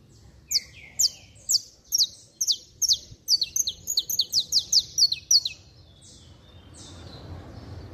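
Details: Saffron finch (canário-da-terra) singing hard, 'estralando': piercing high chips that begin spaced and then quicken into a dense, stuttering run before stopping, leaving a soft background hiss.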